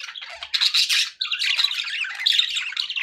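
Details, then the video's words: Pet budgies chattering to keep a lone parakeet company, a continuous stream of harsh squawks, rapid warbles and chirps with brief gaps. "1 hours of budgie sounds for pet parakeets to make tham happy"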